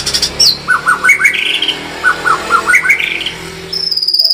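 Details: White-rumped shama, called murai batu, singing gacor tembakan: short repeated whistled notes in small clusters over a noisy background, then a thin, high, steady trill begins near the end.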